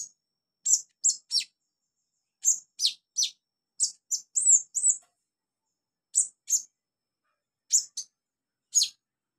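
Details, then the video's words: A training recording for novice birds carries high, sharp olive-backed sunbird chips, given in clusters of two to four notes with short silent gaps between groups. "MASTERAN KONIN/KOLIBRI NINJA buat konin pemula cepat gacor"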